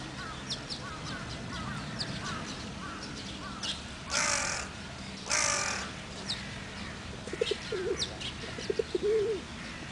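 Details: Male carrion crows asserting a territory boundary with each other during the nesting season give two loud, harsh, rasping caws about a second apart. Faint small-bird chirps come before and after, over a low background rumble.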